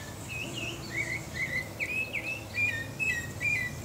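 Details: Song of the pale-breasted thrush, Turdus leucomelas, from Brazil: rapid series of bright whistled notes, each a short upward or downward slur, delivered about two per second over steady low background noise.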